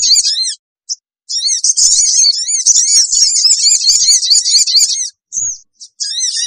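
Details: Sooty-headed bulbul screeching call played as a lure for wild birds: high zigzag chirps, then a sustained four-second stretch of dense, shrill chatter, ending with scattered short notes.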